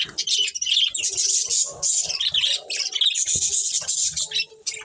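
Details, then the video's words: Budgerigar breeding pair amid a colony giving fast, overlapping squeaky chirps and warbling chatter. Scattered lower knocks and murmurs run underneath throughout. "Cute Budgies Chirping Sounds"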